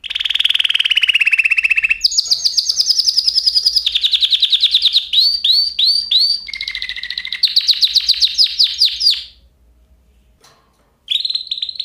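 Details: Canary sings a lower rolling trill, then higher fast trills, a set of looping slurred notes and more trills before a pause and a brief return of song.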